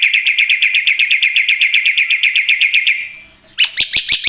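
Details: Gacor black-winged myna in full isian song: a steady rattle of quick, clipped notes repeated about four times a second for three seconds, then a brief gap and loud sharp chips.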